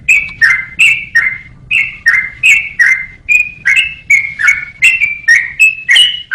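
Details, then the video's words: A yellow-vented bulbul sings a bright, bubbling series of paired whistled notes, high then dropping, repeated almost three times a second in a clean recording meant for songbird training. "KICAU BURUNG TRUCUKAN BUAT MASTERAN"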